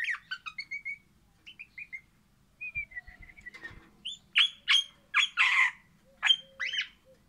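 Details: Orange crimson rosella singing happily, opening with a quick series of short whistled notes stepping down in pitch, then loud harsh, broad chattering bursts with one low hum between phrases.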